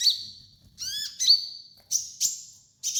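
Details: Sunbird known as kolibri ninja, recorded as a master song: long, thin, high whistles held steady, broken by a buzzy rising note and short sharp chips, with quiet pauses between.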